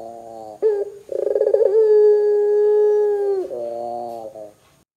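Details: A single call of a Barbary dove singing gacor to draw other doves into calling: a clipped first note, a quick rolling stutter, then a long even coo that ends in a rough, falling murmur.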